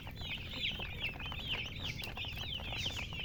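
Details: Loud, piercing chirps from colored chickens, looping up-and-down peeps crowding together continuously, with a low hum underneath.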